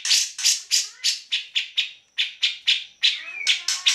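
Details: Energetic grey-cheeked bulbul, kept to tutor other songbirds like white-rumped shama and greater green leafbird, delivering a steady series of rasping, chattering notes roughly four per second, with a faint thin whistle running through one short break.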